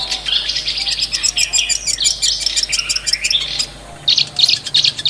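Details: Wild long-tailed shrike in its native habitat delivering a fast, busy stream of chattering notes and harsh fragments, with a brief quieter pause before sharp clicky notes resume at the end.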